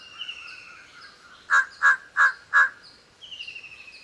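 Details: Quick run of four clipped, rough caws from a Large-billed Crow, spaced about a third of a second apart, set among thin high whistles of other birds heard before and after.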